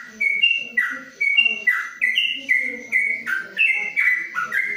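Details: Caged yellow-vented bulbul in a covered cage giving a long 'ropelan' song: bright whistled two-note phrases that step up and down, repeated about twice a second without pause, over faint low rustling.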